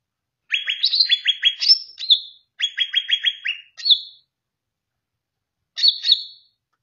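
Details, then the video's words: Greater green leafbird song meant as a tutor for kept songbirds: quick rattling trills of repeated notes broken by rising, ringing whistles, in two phrases and a short final flourish. "masterkan dengan kicau CUCAK IJO ini"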